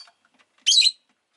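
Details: A single loud, buzzy, screechy chirp from a rosy-faced lovebird, lasting about a third of a second, preceded by faint soft ticks.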